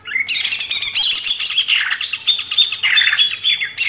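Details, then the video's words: Greater green leafbird master recording for training cage birds, a continuous rich outpouring of fast chattering trills and slurred whistles with barely any pauses. "MASTERAN CUCAK IJO // LANGSUNG GACOR"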